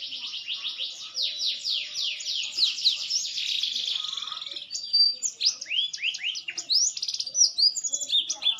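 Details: Maturing green canary in full song, rapid buzzy rolling trills at first, then a varied phrase of bright upswept whistles and sharp chirps repeated in quick bursts.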